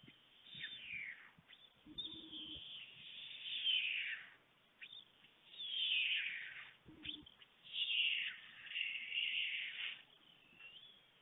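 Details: Pair of white stork chicks at a nest webcam in Fohrde, Germany, 28 July 2019, 3:58 pm, begging as a parent visits: repeated high, wheezy, falling calls lasting one to two seconds each, with two brief low rattling knocks in between.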